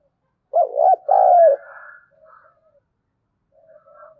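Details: Spotted dove giving a thổ đồng voice, thúc gù style coo used as a lure to draw wild doves: two short arched hoots run into a long burry note, then soft low murmurs trail away.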